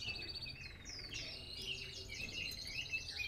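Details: A red factor canary, played to train other canaries to sing, sings a continuous rapid stream of high twittering trills and slurred whistles with quick rolling phrases.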